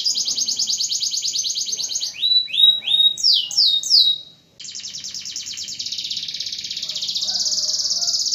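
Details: Canary singing, used to prompt silent canaries to sing again: a fast high buzzing trill, then a few loud swooping downslurred whistles, followed by another long rapid rattling trill that runs to the end.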